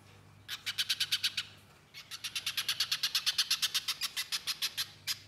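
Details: Pijantung pisang, the little spiderhunter, chattering in gacor nyerecet style: a quick burst of bright, high chips, a short break, then a long, even run of rapid repeated notes. One last chip follows. A faint low hum is in the background.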